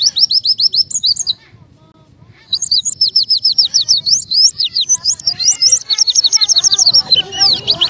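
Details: Oriental white-eye singing a 'buka paruh' song to encourage birds to sing: bursts of rapid, high chattering chirps, a pause of about a second, then a longer, busier run of slurred and rising notes.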